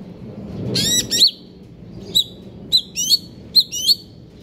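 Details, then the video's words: Greater green leafbird, KLO type, stable condition, konslet kejer nembak singing: a series of crisp, high, downslurred whistled notes with metallic chips, delivered in short bursts about every half second after a brief low rumble. "cucak ijo konslet kejer nembak"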